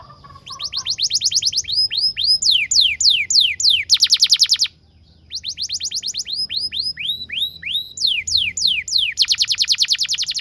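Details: Canary song used as a master recording to train young canaries to sing: fast trills of repeated downward-sweeping whistled notes, rolling phrases and slurred notes in quick series, with a brief pause midway.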